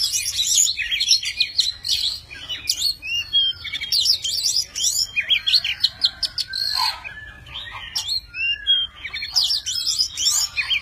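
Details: A tame Oriental magpie-robin sings a rich, varied run of clear whistles, slurred notes and quick chattering phrases almost without pause while fluttering its wings and fanning its tail; no other sounds intrude.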